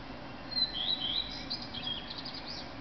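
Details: Dawn song of a male common redstart in Berlin, 10 May 2010, 4:15 a.m.: a few clear high whistles sliding into a rapid jingling twitter lasting about two seconds, against a low constant background rumble.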